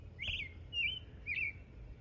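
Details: Male American robin at Palisade State Park, Utah, around Memorial Day, singing all day long: three clear, slurred whistled notes about half a second apart, each rising then falling, over a faint low rumble.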